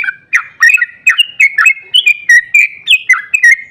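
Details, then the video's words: Long rapid 'ropel' song of a sooty-headed bulbul, intended to set other bulbuls singing. Quick liquid whistles slide up and down in tight succession, roughly three notes per second, clear and loud. "Trucukan GACOR ROPEL PANJANG EMOSI buat pancingan trucuk agar cepat bunyi"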